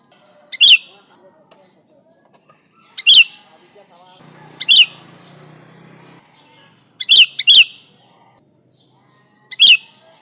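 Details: Sooty-headed bulbul (kutilang) song for luring wild bulbuls. Abrupt bright phrases come every two to three seconds, one of them doubled. A stretch of low background noise sits midway, and a steady high hiss runs throughout.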